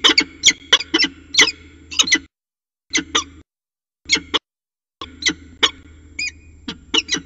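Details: Goshawks mating on the rim of a water tower nest in early February 2018: clipped, harsh notes, sometimes in quick runs and sometimes spaced, broken by gaps, with a constant low background hum.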